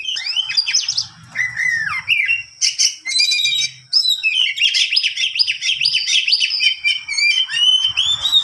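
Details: Long rolling song (ngerol panjang) of an oriental magpie-robin, played to teach other birds: dense, fast, varied whistles and squeaky warbles running almost without pause, over a faint low hum.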